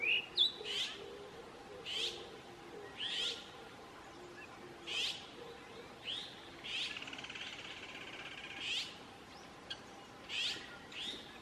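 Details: Azure-winged magpie in South Korea, 2018, giving harsh, rasping notes about once a second, with a longer buzzy, churring stretch midway, over a faint low hum.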